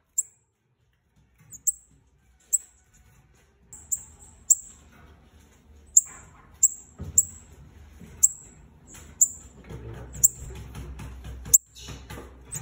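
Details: Bananaquit pair calling to stir up other birds: a run of thin, piercing high chips about once a second, growing busier toward the end over rising rumbling background noise.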